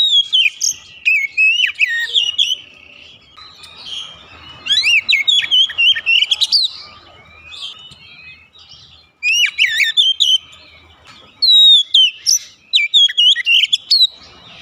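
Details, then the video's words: Caged Oriental magpie-robin singing continuously: bright, varied whistled phrases with fast chirps, trills and slurred notes, in bursts separated by brief pauses, sustained over about fifteen seconds. "terapi cepat mengatasi Kacer rumahan susah bunyi lekas gacor"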